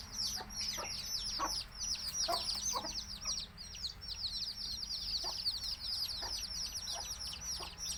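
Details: A crowd of baby chicks, native Tamil country chickens, keeps up dense, high, descending peeping, with scattered dull low taps or clucks and a low background drone.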